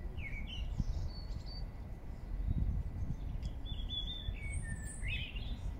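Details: A song thrush in Regent's Park, London, gives short, varied whistled phrases a second or two apart, rather distant, over a steady low rumble of wind or traffic.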